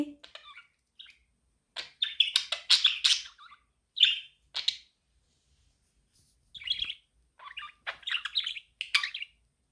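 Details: Pet budgerigar chirping, a sound said to help a lonely budgie become active; bursts of high, scratchy chirps and warbles, sometimes in quick runs, broken by short pauses, with a brief lower note at the start.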